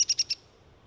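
A Downy woodpecker gives four quick, sharp, high notes about a tenth of a second apart, then falls silent against a faint low hum.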